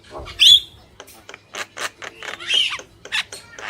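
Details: Male and female Javan mynas chattering actively: harsh scratchy bursts broken by a couple of sharp whistled notes, with short pauses between phrases.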